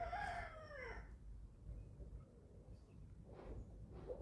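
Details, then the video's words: Chickens eleven weeks old at feeding time on a small family farm in Germany: a short, hoarse, falling crow-like call opens, followed by soft noisy bursts and faint murmuring over a low background hum. "11 Week Old Chicks Feeding Time – 28 Minutes of Relaxing Farm Sounds"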